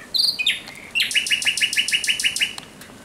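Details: Common Nightingale at night, 17 May 2023: two quick downward whistles, then a rhythmic series of about ten loud, evenly repeated pulsed notes.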